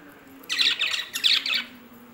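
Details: Lovebirds kept as pets give two bursts of loud, shrill, harsh squawking chirps, each lasting about half a second, with a short pause between them against a quiet indoor background.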